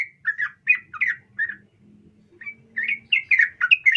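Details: Female sooty-headed bulbul calling a male: a run of short, slurred chirps, then a pause of about a second. The bright chattering notes then resume more densely, with a faint low hum underneath.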